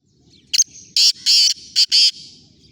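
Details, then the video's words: Black francolin (kala teetar) giving one harsh, grating phrase of five loud rasping notes: a short opening note, then four thicker buzzy bursts in quick succession, over a faint low rumble. "kala teetar ki awaz"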